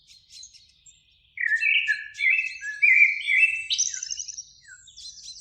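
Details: Eurasian blackbird singing in a springtime beech tree near a lake at evening, one of two birds: after a quiet start, mellow fluted warbling phrases slide low and are capped by thin, high squeaky twitters.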